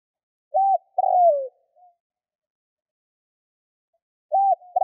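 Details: Soft low cooing of a spotted dove meant to lure wild doves: a short note and a long falling coo, a pause of nearly three seconds, then another phrase begins.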